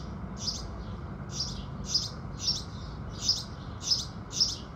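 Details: Sunrise chorus of house sparrows: seven short, bright chirps arriving at fairly regular intervals after an opening gap, with a soft continuous hiss underneath.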